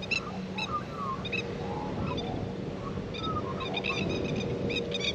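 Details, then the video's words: A new male Australian magpie sits on a tractor seat on a windy day, preening and singing softly: a rambling mix of quick high clicks and chirps with short, falling, warbled notes, over a steady low hum. "singing softly on tractor seat; Australian magpies"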